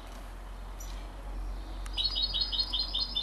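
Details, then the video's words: Hybrid of canary and European goldfinch at 33 days old: after a quiet start, a brisk string of sharp, high chirps begins and continues to the end, over a low background hum. "canari x chardonneret a 33 jours"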